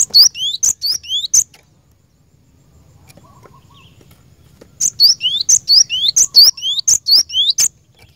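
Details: Cinereous tit (glatik batu) lively song for training caged birds. A short burst of rapid high chips and upslurred whistles, then quiet, then a longer run of the same paired notes repeated about once per second.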